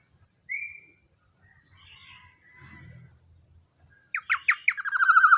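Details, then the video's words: Young, large-bodied black-naped oriole with a loud voice, recorded for training captive birds: a short rising whistle, quiet gaps, then harsh notes that speed into a rolling, buzzy trill at the end. "Pancingan Suara KEPODANG Emas Muda Body JUMBO BESAR suara LANTANG"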